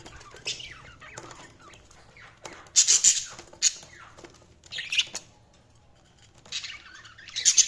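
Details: Budgerigars chirping: bursts of high, scratchy twitters and sharp chirps, loudest around three, five and seven and a half seconds, with quieter warbling between.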